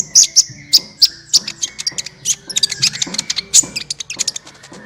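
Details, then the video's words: Sunbird singing, used as a lure to get other birds singing: fast, dense run of high, sharp chirps and clicks, rapid and uneven, with fainter low sounds underneath. "suara burung Kolibri ampuh untuk pancingan, suara burung Kolibri gacoorr 2 menit langsung ikut gacor"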